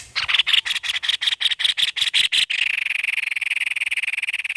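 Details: Energetic white-necked babbler: a string of separate harsh, scratchy notes quickens into a continuous fast buzzing rattle that runs to the end.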